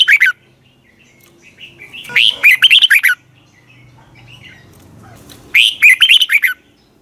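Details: A red-whiskered bulbul gives its long twisted double-voice morning song, recorded in 2020 as lure song for training other bulbuls; a brief fragment opens, then two full, rolling phrases of quick rising and falling whistles.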